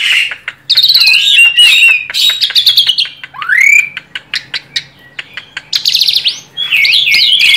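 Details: Chatty tame Asian pied starling singing to draw out other birds: busy clicking and buzzy notes, a swooping rising whistle, and warbling, wavering phrases near the end.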